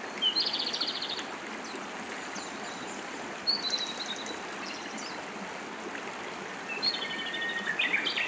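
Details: Song of a Japanese robin recorded in Hiroshima in 2019: three separate high, fast trilled bursts spread across the recording, the last one longer and more complex, over flowing water.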